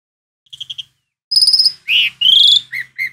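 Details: Asian pied starling (jalak suren) giving soft quick chips followed by a loud strained note, a squealing rising whistle and two shorter downslurred whistles.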